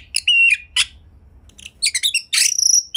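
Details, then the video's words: White-rumped shama kept at home, song phrase used to get other shamas singing: a few sharp chirps and a whistled note, short pause, then a fast buzzy trill with a high whistle. "Kacer Rumahan Pun Bisa Ikut Gacor! Pancingan Kacer Gacor Agar Bongkar Isian Ngobra"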